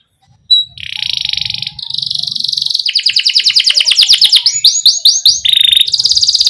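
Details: Canary rolling song with pauses, aimed at getting young canaries to sing: a sustained high buzzy trill, a faster rattling roll, sharp falling chirps, then another steady trill.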